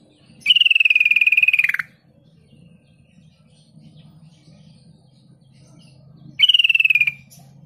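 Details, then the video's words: Sooty-headed bulbul lure meant to draw quick replies from bulbuls: two harsh buzzy chatters, the first over a second long and dropping at its end, the second shorter, separated by a pause with faint low background noise. "Trucuk kebo bisu bahan dan ombyokan langsung nyaut dalam hitungan detik dengan pancingan trucuk ini"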